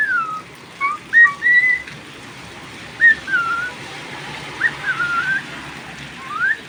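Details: Cockatiel kept at home, whistling during rain: softer scattered notes with falling slurs and rising sweeps, spaced irregularly, partly masked by a steady rain hiss.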